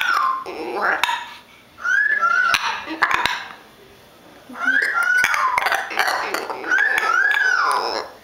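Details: A pair of pet hyacinth macaws, happy and holding feet, chat with soft clucks and throaty, bending chatter notes in short bursts, prompted by a woman's high, cooing, affectionate voice.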